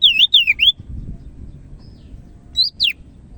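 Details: Greater green leafbird, Medan type, in full song: three loud swooping whistled notes in quick succession, a pause with faint hum, then two more bright downslurred whistles.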